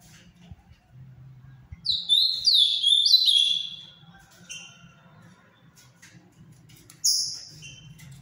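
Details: Ultramarine grosbeak, Paraná form, bred in captivity, delivering a fast warbled phrase of slurred whistles for about two seconds, followed by softer scattered notes and a single bright falling whistle near the end, with a low hum behind.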